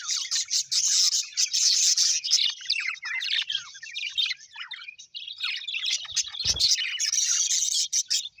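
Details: Pet budgerigars, described as happy, chirp loudly in fast irregular bursts, roughly two notes a second over a continuous warbling background, with one brief low thump midway.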